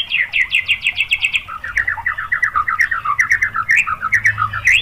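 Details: White-rumped shama (murai batu) song of rapid 'tembakan' shooting phrases, played to provoke other shamas into singing: a loud, fast series of sharp repeated notes, first high, then dropping lower, running without pause.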